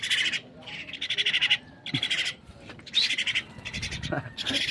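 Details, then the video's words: Pet myna bird calling while being fed by hand: harsh, raspy bursts about half a second to a second long, repeated in quick succession with short gaps, with faint low handling noises beneath. "feeding my Myna bird."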